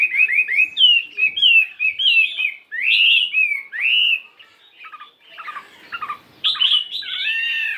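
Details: Varied morning practice song of a 72-gram fighting Chinese hwamei: rapid, clear whistled notes that swoop up and down, a brief quieter stretch of softer twitters, then a loud burst of rich warbling.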